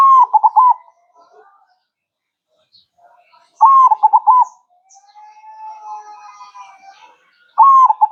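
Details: Zebra dove (perkutut) singing manggung in a masteran recording: three cooing phrases, each a long note followed by fast bubbling coos. Between the second and third, a long soft smooth tone slowly rises and fades.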